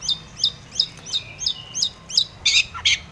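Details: Long-tailed shrike, locally cendet, in a provoking full song: quick repeated high downslurred whistles about three per second, ending in two louder harsh chattering bursts.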